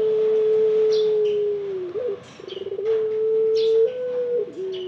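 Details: A ringneck dove coos loudly: a long even hoot sagging slightly at its end, a rapid rolling burst of pulses, then another sustained coo and a falling close, faint chirps of other birds overhead.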